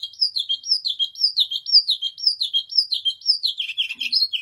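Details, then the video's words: White canary singing: a rapid run of looping whistled notes, each sliding up then dropping, repeated about twice a second in a steady rolling phrase, ending in a brief burst of quicker lower notes; no other sounds. "تغريد رائع لكناري أبيض"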